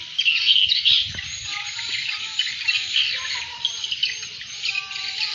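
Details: Lure call for attracting swiftlets: rapid, dense high chirping and twittering, pulsing in loudness, with a few thin whistled notes in the middle range.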